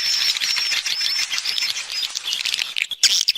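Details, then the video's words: Swiftlet external sound: a continuous high twittering chorus with thin whistled streaks woven through steady chatter, ending in a short gap followed by a few sharp chirps. "Free Swiftlet External Sounds"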